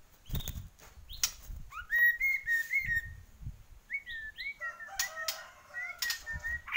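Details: White-rumped shama of the Borneo type in full song: sharp rising whistles and sliding notes among scattered clicks and knocks, ending with a steady whistled series and a thin whine.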